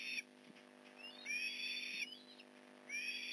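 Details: Osprey at a Port Lincoln nest during a fish delivery on the morning of November 15, 2019: several thin, high whistled calls, some sliding upward. They are quieter and separated by gaps, with a background hum and soft knocks.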